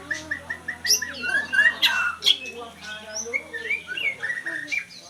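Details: Oriental magpie-robin, a series of short even whistled notes, then louder rising and falling whistles mixed with harsh chattering bursts; a faint low hum runs underneath.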